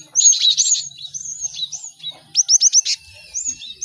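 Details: Many caged cinereous tits singing together as a chorus for training other birds to learn songs quickly: rapid high chirps, then five sharp upward-sweeping notes in quick succession and thin whistled slurs.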